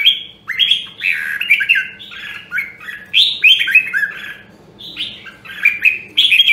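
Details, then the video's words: Nam Đông, Huế red-whiskered bulbul in voice training, singing a continuous string of loud, bright warbled phrases with quick up-and-down slurs, barely pausing across the stretch; soft low hum underneath. "Luyện giọng Chào Mào Nam Đông Huế"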